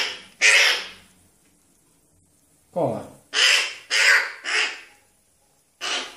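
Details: Fallen crow chick being fed by hand: rough, grating caws, one single then a quick run of four, with a person speaking nearby in a small room.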